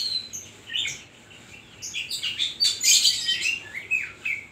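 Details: An Oriental magpie-robin (kacer) singing energetically in the 'isian koslet' style, rapid jumbled phrases of sweet whistles, chattering notes and loud scratchy bursts, building to a dense, busy stretch.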